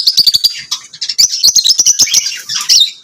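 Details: Lovebirds singing and chirping: a dense, fast stream of high, sharp chirps and squeaky tweets overlapping almost without pause, with short clicky bursts.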